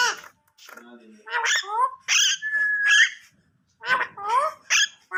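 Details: Talking parrot speaking Urdu/Hindi words indoors: a string of squeaky, speech-like syllables with sliding harmonics, a steady whistled tone near the middle, and short bursts of mimicked speech after a brief pause.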